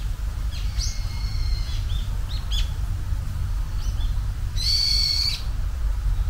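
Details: Japanese bush warbler singing its first song of spring: sustained high whistled notes with short sliding notes in between, ending in a strong held whistle, over a constant low rumble.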